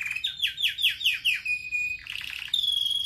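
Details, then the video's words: Pet red factor canary singing a training song: a series of descending swooped notes about every fifth of a second, a flat whistle, a soft buzzy trill, then a clear sustained tone. "Canary most powerful song for training | Red Factor singing"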